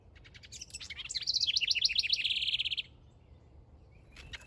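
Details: Male house wren singing while building a nest in a backyard: a bubbly, rapid jumble of high notes that settles into a fast, even, buzzy trill lasting about a second, then stops, with faint chirps after.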